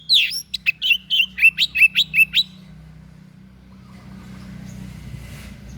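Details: White-breasted bird with a strange song intended for teaching other songbirds: a fast burst of about ten clipped, buzzy whistled notes over two seconds, then near-quiet with low rumbling background.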